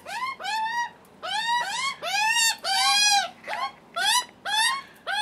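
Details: Young Australian magpies begging for food, their first visit with a cautious adult male: long, harsh, nasal screams, each bending up and down, several joined into extended wails with short breaks.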